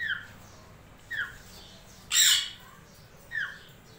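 A grey parrot gives three short whistled notes about a second apart, with one harsh, loud screech in the middle. The room is otherwise quiet.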